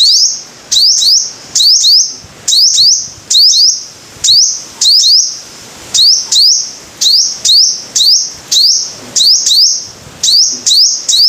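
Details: Sunbird, described as five-coloured, giving loud high-pitched repeated phrases: a sharp upward-sweeping note followed by a sustained thin whistle, phrases repeated steadily with brief pauses throughout.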